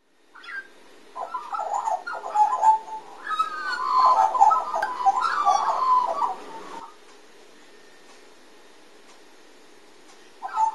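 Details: A magpie in a morning chorus gives rich, warbling chortles, mid-pitched and bubbling, in a run of about six seconds, followed by quiet and a final brief phrase.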